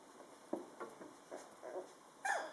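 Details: Two-week-old Drentsche Partridge Dog puppies, born 8 March 2013, learning to walk on 23 March, give a single high, thin squeak near the end after several soft shuffling taps; Fila Brasileiro.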